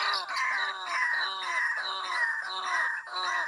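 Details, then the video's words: Lure call of the White-breasted waterhen, meant to draw birds from bushes: loud, nasal, strongly harmonic notes with a low, slightly falling base, repeated evenly about twice per second in a continuous run. "mikat ruak ruak,dengan suara ini.ruak ruak langsung keluar dari semak2."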